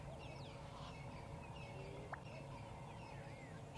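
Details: Black-bellied bustard seen calling on a sunrise drive on 4 November 2016, around 4 o'clock as dawn birds wake: a single short, sharp pop like a champagne cork over chirping dawn birds and a low rumble.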